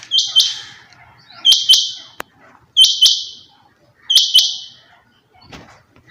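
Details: Four loud calls of a female rain quail. Each is a high, harsh burst opening with two sharp clicks and fading slowly, repeated about every 1.3 seconds, with a soft rustle near the end.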